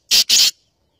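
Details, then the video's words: Black francolin (kala teetar) uttering two loud, harsh, hissing notes close together. The first is short and the second longer, followed by silence. "Black francolin voice || Kala teetar sound"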